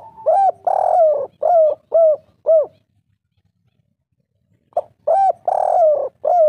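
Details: Spotted dove of the three-note style, played as a lure to make rival birds call back: two series of loud, rough, throaty coos, five to six notes in quick succession, separated by about two seconds of silence.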